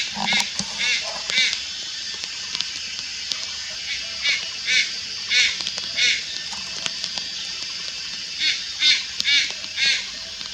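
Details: Juvenile Malayan night heron calling at Lugu, 4 August 2022: scattered harsh, nasal, buzzy bursts at irregular intervals, some doubled, over a steady high insect hiss.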